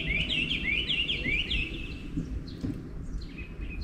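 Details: Morning song of wild birds: a fast run of sweeping, chirping notes repeated several times at the start, then fainter scattered high notes over steady low background rumble.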